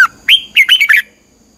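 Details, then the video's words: Close, loud Red-whiskered bulbul in 'xoắn tít' twisting-voice training song, meant to rouse birds to fighting form: one lively phrase of about five quick, slurred whistled notes rising and dipping, then silence. "luyện giọng chào mào hót hay, Giọng xoắn tít -KÍCH CHIM CĂNG LỬA, Luyện chào mào hót sáng"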